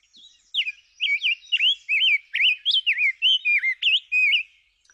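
A Rose-breasted Grosbeak sings a rich, flowing warble of slurred whistled notes, rising and falling in quick succession for about four seconds.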